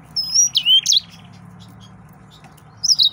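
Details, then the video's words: Brief snatch of song from an excited male yellow-fronted canary: a few high whistled slurs and a sharp twitter, a silent stretch, then a final rising-falling whistle. "تغريد مرعب سورا الموزمبيقي"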